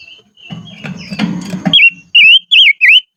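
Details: Decoy silver-eared mesia singing in highland country, giving a quick run of three or four bright, wavering whistled notes near the end after a stretch of low rumbling handling noise.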